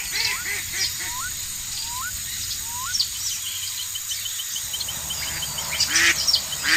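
Domestic duck giving short, rising nasal notes, several in quick succession, then a pause and a couple more, over a steady high insect-like hiss.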